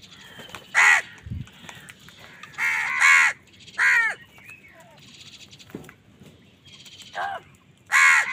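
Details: Crow cawing angrily during a fight with wild birds for food: scattered harsh caws, some doubled, spread across the recording with short pauses and faint thin calls between them.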